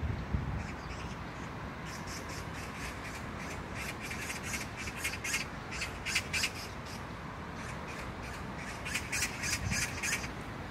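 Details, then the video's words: Magpie in Jangdumot neighbourhood park, Gyeyang-gu, Incheon, South Korea, on June 19, 2022, giving harsh rasping chatter from about two seconds in: rapid broadband bursts, roughly three per second, over steady low rumble. "magpie sound(까치소리)"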